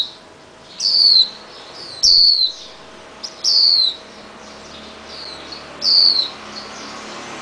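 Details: Swinhoe's white-eye fledgling, once cared for in a cage and now set free, moves about a garage steel beam while parents bring red fruit; five loud, high, downslurred chirps spaced irregularly, with fainter twitters between.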